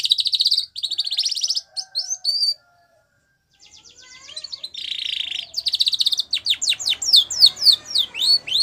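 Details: Spanish Timbrado canary, white, singing a training song for young canaries: high trills in short bursts, a brief pause, a rolling rattle, then a quick run of falling sweeps.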